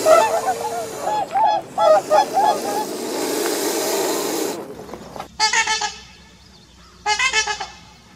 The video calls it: Cygne trompette, le CRI du CYGNE